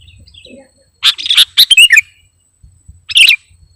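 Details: Sooty-headed bulbul in lively song for luring birds: a quick cluster of bright, slurred chirps, a pause, then one more short twittering phrase against a faint low background hum.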